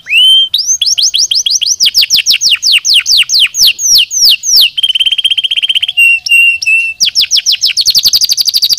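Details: Canary singing to stimulate idle birds: a rising whistle, long runs of rapid downward-sweeping notes, a buzzy rolling trill, brief steady tones, then a fast high chatter.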